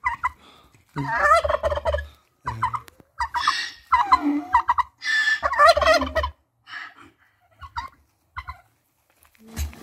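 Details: Turkey gobbling in loud, ragged bursts of rapid rattling notes, with uneven pauses between groups and a few softer fragments near the end.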